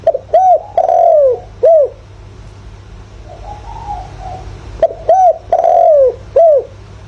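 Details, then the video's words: Decoy spotted dove calling in the thổ voice style, used to stimulate wild doves; two loud cooing phrases, each a short coo, a long drawn-out rolling coo and a final short coo, with fainter softer coos between them. "chim cu gáy mồi, chim cu gáy gọi, chim cu gáy giọng thổ, tiếng chim cu gáy giọng hợp bổi"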